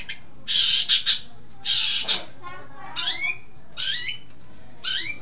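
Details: Long-tailed shrike, an East Java bird praised as intelligent, starts with long harsh buzzy rasps, then shifts to softer rising and falling whistled slurs, as though mimicking other birds.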